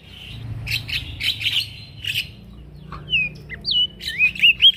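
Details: Male prinia in active song, recorded to train other birds; scratchy, chattering notes open the passage, followed by a rising sequence of clear, looping whistles that grow louder toward the end.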